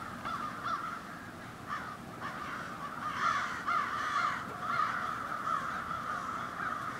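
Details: Crows from a seasonal roost in an Ontario city, Canada, calling in the morning: many overlapping harsh caws, roughly two each second, merged into a steady noisy chorus with a low rumble underneath.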